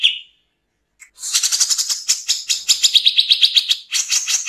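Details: Grey-cheeked bulbul, cucak jenggot, in harsh 'nembak kasar' style with pauses: one short whistled note, a second of silence, a tiny click, then a long rapid barrage of scratchy notes, a brief dip, and renewed chattering.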